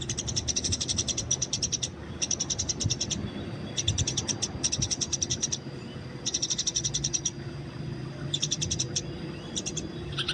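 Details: Wild Eurasian tree sparrow fighting, with bursts of fast, high, clipped chirps roughly a second long, repeated about six times with brief gaps, against a faint low background rumble.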